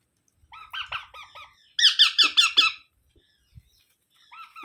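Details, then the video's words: Young parrot squealing in rapid chattering series, a softer run followed by five loud harsh notes, then quiet before a few more calls at the end. "Baby Parrot Sounds"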